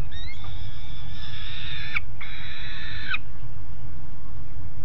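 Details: Two juvenile peregrine falcons on a nest grate at Alphen aan de Rijn, Netherlands, 17 June 2016, 13:30, giving two drawn-out, harmonic wailing cries of about a second each, separated by a short pause, over a steady low rumble.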